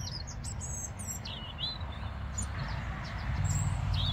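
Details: European robin, an insectivorous songbird, on the banks of the Adige river, Vallagarina, Trentino, singing thin, high, varied whistled phrases with wavering, trickling notes over a steady low rush of flowing water.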